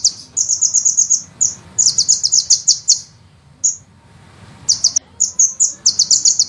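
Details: Long rolling sunbird song for use as a songbird master: fast, very high stuttering trills in long runs, a pause with one isolated chip, then more shrill rattling phrases.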